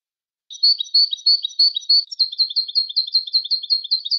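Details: Moroccan goldfinch in continuous song, a fast chain of bright, high twittering notes that quickens partway through, with no background noise.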